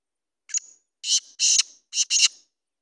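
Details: Kala teetar, the black francolin, calling: a brief high opening note followed by four rasping, broadband bursts grouped in pairs, the phrase spanning roughly two seconds with no other sounds.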